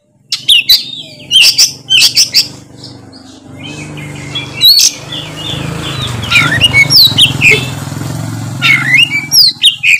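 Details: Oriental magpie-robin in loud ngeplong song: sharp whistled and chattering notes, clearest at the start and end, over a steady low hum.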